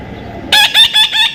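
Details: After a quiet start, a baby parrot bursts into loud, rapid squawking, four harsh nasal notes in quick succession.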